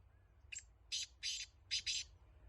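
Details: Kala teetar or black francolin of the Laka antique breed giving a five-part grating call: a short opening note, two longer rasping notes, then a quick pair, heard fainter against a soft hum.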